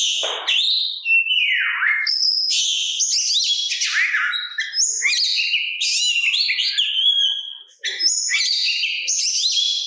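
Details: Oriental magpie-robin (kacer) in sustained provoking song to stir other magpie-robins to answer; rich whistles, downward sweeps, chatters and mimicked-sounding phrases pour out rapidly, pausing once near the end.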